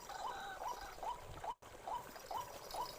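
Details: White-breasted waterhen in a forest: soft rising notes repeated about twice per second, broken by a brief dropout, amid hissing background noise.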